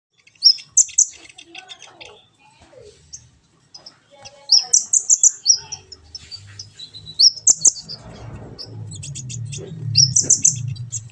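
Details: Van Hasselt's sunbird, known locally as kolibri ninja, in a training recording meant to make a kept bird sing actively: bursts of very high, thin chirps and twittering notes in clusters, with pauses between, and low rumbling background noise.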